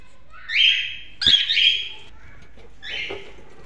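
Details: Cockatiels kept as pets giving loud whistled calls that rise sharply at the start, two close together and a third after a pause, over a quiet indoor background.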